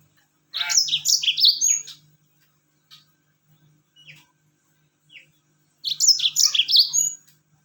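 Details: Yellow-fronted canary song used to prompt other birds to sing: a rapid warbled burst of sweet high chirps, a few scattered short notes during a quiet gap, then another lively burst, over a soft steady hum.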